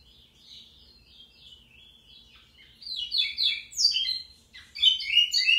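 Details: Pico plat, the local name for the lined seedeater, singing: a rapid series of high, buzzy, down-slurred notes, soft at first and growing louder after about three seconds, in a quiet setting.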